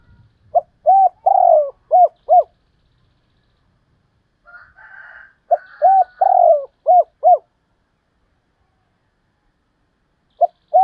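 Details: Spotted dove giving calling coos and the double 'hai hậu' phrase: two phrases of short coos around a rolled purring middle, about four seconds apart, with a faint buzzy hum between them and a coo starting at the end.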